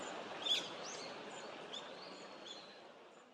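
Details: A male hawfinch on a high branch in a small, distant flock, with a female nearby, on 19 November 2022, gives thin, high, sharp ticking calls about every half second and one longer high note; whether only males call this way is uncertain.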